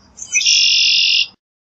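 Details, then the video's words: A red-winged blackbird (Agelaius phoeniceus) gives one song: a brief sharp opening note, then a long, harsh, buzzing trill lasting almost a second, with no other sounds. "Red-winged Blackbird Song! Red-winged Blackbird Call!"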